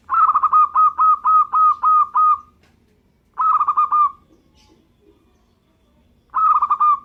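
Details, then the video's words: Local perkutut, the zebra dove, in full song: a long run of about nine rapid, evenly spaced cooing notes, then shorter bursts of the same throaty pulsed coos after pauses of about a second and two seconds. "suara perkutut lokal gacor"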